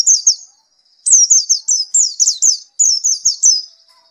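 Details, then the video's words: White-eye after therapy delivering a near-continuous chain of high, falling whistled notes, each phrase flowing into the next with only a short break after the opening. "Gila nie pleci setelah diterapi gacor terus"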